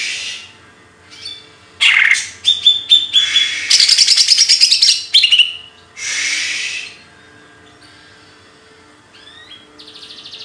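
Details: Birdsong given as kicau burung materi: a dense run of varied chirps, whistles and buzzy trills, followed by a sustained harsh note and fainter high trilling at the end.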